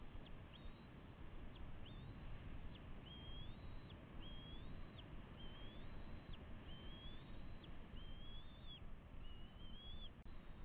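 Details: Juvenile bald eagles with parents at the West End Nest, May 29 2016, nest camera: piping whistled notes in quick succession, short sharp chips followed by longer slurred whistles, over a constant low rumbling background.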